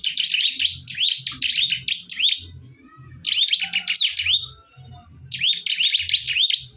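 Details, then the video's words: Bar-winged prinias in a heated fight: three bursts of fast, high, swooping chirps divided by short lulls, backed by low repeated thuds. "PERTARUNGAN SENGIT BURUNG CIBLEK"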